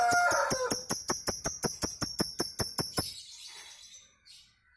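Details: Kemrewek chattering of a Nias hill myna that sets other birds singing: a steady run of about fourteen crisp metallic ticks, roughly five per second, fading into a soft breathy tail.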